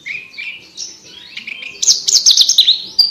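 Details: Javan bush lark singing a clear, crystalline tutor song for training competition birds: sliding whistled notes rising and falling, then a louder, faster run of sharp chirps and trills.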